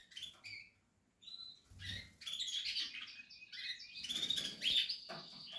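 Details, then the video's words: Portuguese harlequin canary nestlings, bred in captivity, with scattered thin chirps that build into a dense high twittering chorus, plus faint rustles and thumps. "canary chicks"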